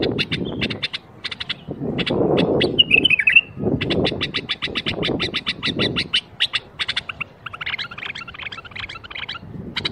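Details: Bulbul 'berwaz' song aimed at getting other bulbuls to sing: rapid trains of clicking chips, one brief warbled flourish and a scratchy jumbled phrase late on, over repeated low thumping noise.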